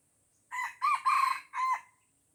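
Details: Red junglefowl in Aceh, Indonesia, surrounded by young birds it will not fight, crows somewhat farther off: four hoarse syllables with a drawn-out third, over a faint high steady insect hiss.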